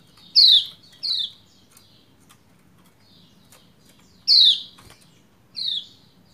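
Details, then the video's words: Female pleci from Lombok calling a male so he will sing quickly: four harsh, downward-sliding chirps in two pairs, roughly a second apart within each pair, separated by a few seconds of quiet with light clicks. "Ciak Ciak Pleci Lombok Betina Memanggil Jantan Supaya Cepat Gacor"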